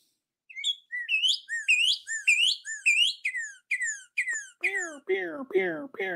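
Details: Northern cardinal; song; male attracting a mate in spring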